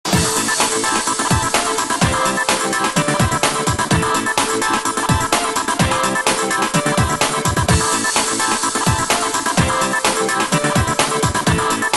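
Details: Loud electronic dance music with a steady pounding beat and synthesizer layers plays throughout, with no animal sound.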